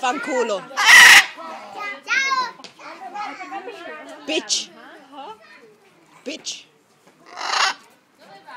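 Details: A blue-and-yellow macaw at Walter Zoo in Gossau, Switzerland chatters in raspy, speech-like phrases such as "hello" and "kiss", mixed with harsh squawks and kissing noises, while a person talks nearby.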